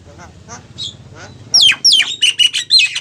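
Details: Female Javan myna calling for a male: faint scratchy notes at first, then loud descending whistled squawks and grating chatter repeated several times over the last second and a half, steady low hum underneath.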